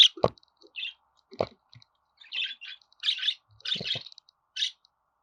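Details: Scratchy budgerigar chirps come in brief bursts and short runs, mixed with a few sharp clicks and soft low knocks.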